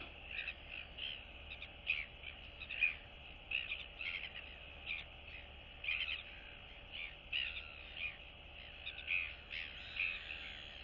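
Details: Neighbouring royal albatross chicks greet each other in the colony, 9 September 2022; rough chattering calls come in clusters every one to two seconds over steady background hiss.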